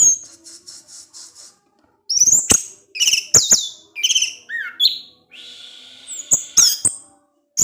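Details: Orange-headed thrush singing in the evening to provoke other thrushes; soft repeated notes, then loud sharp whistles, slurred phrases and a buzzy sustained note.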